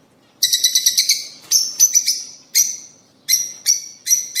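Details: Lovebirds, rosy-faced and Fischer's, heard in a breeding-stimulation recording; a rapid chattering string of squeaky notes opens, followed by separated piercing chirps spaced roughly half a second apart.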